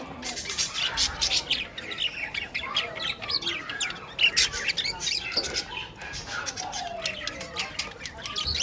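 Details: A flock of pet budgerigars keeps up dense, warbling chatter of chirps, trills and short whistles, including one long downward-sliding note late on.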